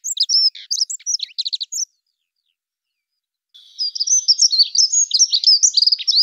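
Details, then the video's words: A dunnock (Prunella modularis) sings two quick, high, jingling warbles of about two seconds each, separated by a short pause, with no other sounds. "Как поет Завирушка лесная Prunella modularis"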